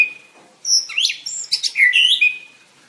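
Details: White-rumped shama performing at a singing contest: after a thin steady whistle, a burst of high, sharply sweeping whistles and chirps tumbles rapidly, ending on a level trailing note.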